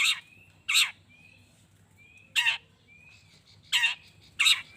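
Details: Long-tailed shrike calling to trigger other shrikes into answering: rough, grating bursts spaced irregularly, with faint thin whistled slides between them and a low hum beneath.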